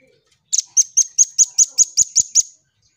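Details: Velvet-fronted nuthatch singing actively on a tutor recording used to train songbirds: a quick burst of about ten sharp, very high chipping notes, roughly five per second, in a clean series lasting two seconds, with a silent background.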